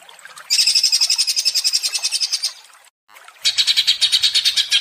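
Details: Greater green leafbird, agitated and singing vigorously, giving two bursts of fast, high, rattling notes, about four per second, with a brief pause between them.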